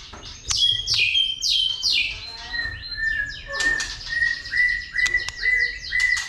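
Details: A white-rumped shama, roused by a female to fighting song, gives a quick series of downslurred whistles, then a steady level note repeated with crisp clicks in between.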